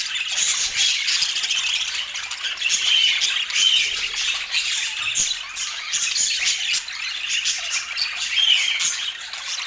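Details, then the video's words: Pet budgerigars at an apple meal keep up a thick, high-pitched chattering of scratchy squawks and chirps, with a few brief sharp whistles standing out. "Relaxing Budgie Sounds"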